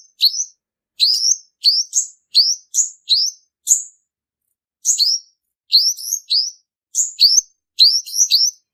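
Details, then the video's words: Lure song of a male olive-backed sunbird used in trapping: clear, shrill chirps rising then holding level, in lively runs separated by a second-long pause. "Tiếng chim hút mật họng tím, tiếng chim đực mồi bẫy chuẩn"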